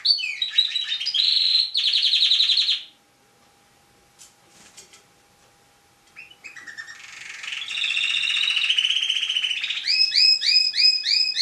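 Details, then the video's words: National champion tame canary delivering loud buzzy trills, falling quiet with faint clicks, then resuming with rolling phrases and ending in rapidly repeated curved notes. "Burung Kenari Jinak Suara Gacor Juara Nasional"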